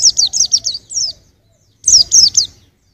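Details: White-eye twittering for songbird training: a run of about six quick falling chirps, a half-second silence, then three more bright slurred notes.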